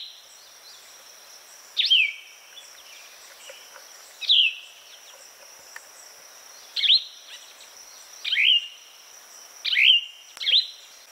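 Plumbeous vireo singing short, slurred phrases that drop in pitch, about six phrases spaced one to three seconds apart, over a steady high insect hum.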